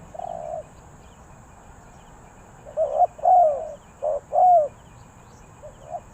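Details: A single soft coo from a spotted dove, then after a pause a phrase of short cooing notes that ends in a longer, slightly falling coo, over a faint steady hum.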